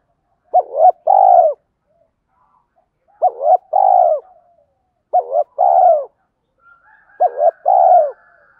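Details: Decoy spotted dove giving loud, persistent coos to attract wild birds. A two-part phrase, a quick wavering note then a longer falling coo, repeats four times about every two seconds against silence.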